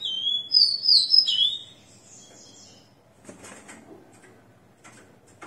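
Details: Caged, ringed Rufous-collared Sparrow singing post-moult at 6 am, 29 September 2021; the clip opens on its whistled phrase of slurred high notes ending in a falling whistle, followed by quiet clicks and rustles.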